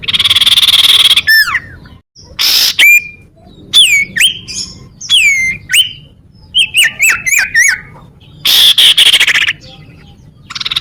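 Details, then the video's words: Common iora song for luring birds and provoking rivals: a varied series of sharp downslurred whistles and rapid chip notes, broken by two long buzzy trills near the start and end. "suara burung sirtu cipow"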